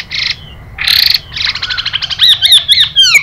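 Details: Harsh, hissing buzzy bursts and a rapid chattering rattle lead into sharp slurred whistles, as a Chinese hwamei performs fighting-style song with a female giving hissing calls.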